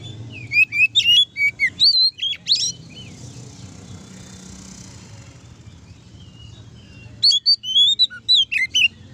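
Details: Ngeplong song of an oriental magpie-robin, aimed at making rival magpie-robins sing keenly. A burst of quick high whistles and chirps is followed by several seconds of soft hissing background, then a second similar burst.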